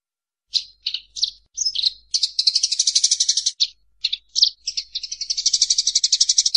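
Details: Fighting Eurasian tree sparrows, a track to teach songbirds: scattered single squeaky chirps build into long runs of fast, harsh chattering, interrupted by a few separate high notes.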